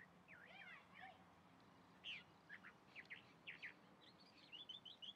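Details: Chalk-browed mockingbird in song, mixing warbled twisting phrases with sharp downslurred notes in an irregular sequence, somewhat distant against constant low background noise.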